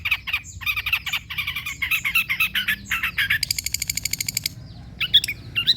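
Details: Long-tailed shrike singing, used to prompt silent birds to sing: a dense, varied run of harsh chattering phrases followed by a fast, buzzy rattle and a few sharp high squeaks.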